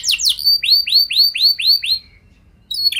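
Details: Canary song meant to coax other canaries into singing: a couple of sharp downslurs, then six evenly spaced arched whistled notes about every quarter second, a short gap, and a fresh burst.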